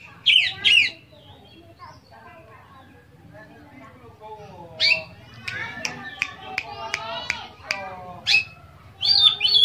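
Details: Oriental magpie-robin in full, richly varied song meant to stir other magpie-robins into singing: a few sharp whistled notes, a quiet gap, then a quick run of buzzy, rising chattered notes and more clear whistles.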